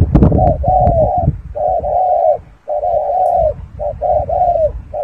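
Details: Spotted dove giving a run of low, hollow coos, short notes mixed with longer sustained ones, in an uneven rhythm, over low rumbling and a few clicks at the start.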